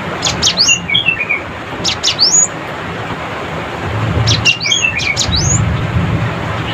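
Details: Cinereous tit chattering to call rivals: three vigorous bursts of steep high sweeping chips mixed with rapid descending twitters, spaced about two seconds apart, with a low rumbling hum underneath in the later part.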